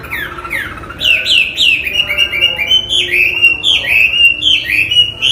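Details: Chinese hwamei (wambi) in full, energetic song: loud clear whistled notes sliding up and down, delivered quickly at about four a second in varied phrases, with no other clear sounds.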